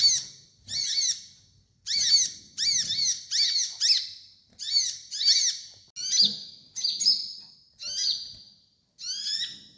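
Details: Sunbird song used as training master for birds: short bursts of sharp, high chirping notes with downward-sweeping slurs, repeated about once a second with brief silent gaps, over a faint low hum.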